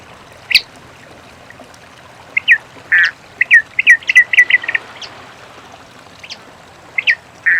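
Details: Many-colored rush tyrant in nature giving its song: an isolated sharp note, then a quick burst of clipped, ticking notes about eight long, followed by a few scattered chirps.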